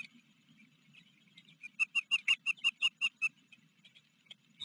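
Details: Osprey at a Blackwater River, Maryland nest, afternoon of July 28, 2022, while a recently fledged young bird from another nest visited. About ten loud, evenly spaced, high whistled chirps arrive in a quick burst amid quieter chirping.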